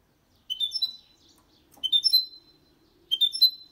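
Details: Hybrid of goldfinch and canary in clean, error-free song meant to spur males to sing and to teach chicks; three short bright twittering phrases, each a quick burst of high chirps about every 1.3 seconds.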